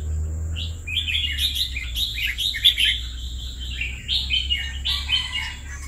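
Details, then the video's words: Red-whiskered bulbul kept in a cage for two years gives a run of lively, tumbling whistled notes, dense and chattering, with a low background hum. "Merbah Jambul Kesayangan Hamba"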